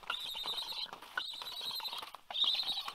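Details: Last remaining black stork chick in Karula, Estonia, 27 August 2022, begging before its parent arrives to feed it: three long, high, scratchy wheezing bursts run almost together, with faint clatter beneath.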